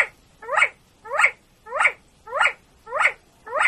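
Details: Keklik (chukar partridge) calling in Tajikistan, 2020: six loud, rasping chuk-ar notes spaced roughly 0.6 seconds apart in a steady, even rhythm against a quiet background.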